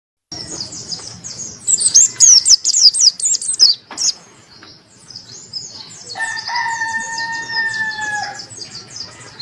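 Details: White-eye of the Monty type singing with open beak, a crystal voice for tutoring other birds and rousing lazy singers: a quick run of high, thin chirps, then softer twittering over steady lower whistled tones.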